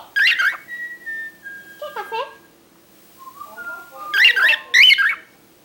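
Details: Cockatiel that talks a lot: bright whistled notes, some bursting and warbling, others long level or gently falling tones, arriving in separate phrases with brief quiet gaps between them.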